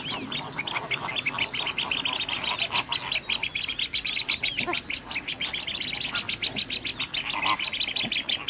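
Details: Radjah shelduck recorded at WWT Slimbridge: an unbroken stream of quick, shrill repeated notes throughout, with occasional honks and calls from other waterfowl behind.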